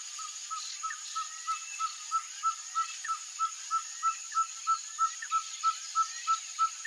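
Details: Ferruginous pygmy owl (Glaucidium brasilianum), known in Brazil as caburé, singing a long, even series of short hollow toots, about three per second, steady in pitch, over a constant high hiss of insects.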